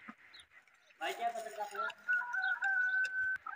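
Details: Desi rooster crowing: after a burst of overlapping voices, a drawn-out, even crow holds one steady pitch for over a second, then breaks off abruptly, with faint background birds.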